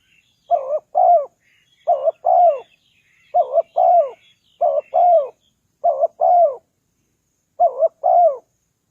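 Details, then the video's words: Repeated cooing of a spotted dove for attracting wild doves: seven paired phrases, a quick wavering coo and a longer falling coo, roughly every second, with faint twittering birds early on. "Chim cu gáy chiêu kích mồi tập bổi nhanh nổi hiệu quả"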